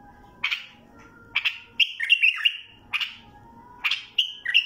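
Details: Mandali bulbul singing: short bursts of clear, fluty whistled notes with quick slurred ups and downs, phrases every second or so, over a low steady background hum.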